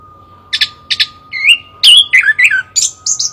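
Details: Loud chestnut-capped thrush song: two clipped opening notes, then a tumbling series of whistled, swooping phrases delivered quickly, about nine elements in three seconds, over a constant faint humming tone and low rumble.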